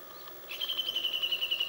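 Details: Japanese bush warbler singing unseen, hidden in the shade of mulberry leaves; a brief high, even note held steady with a fine rapid pulsing after a quiet start.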